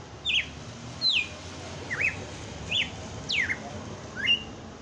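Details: Brazilian captive red-cowled cardinal on Christmas Day performing its 'batendo fogo' song: quick, loud whistled notes, some sharply descending, others up-down slurs, about six phrases in under five seconds over a soft hum.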